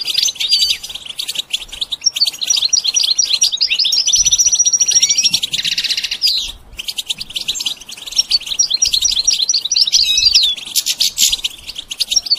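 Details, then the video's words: Goldfinch song: a long, busy run of high twittering and chirping notes, with thin whistled slides and buzzy trills rising and falling, broken by a brief pause near the middle. "The basics of training the goldfinch to sing"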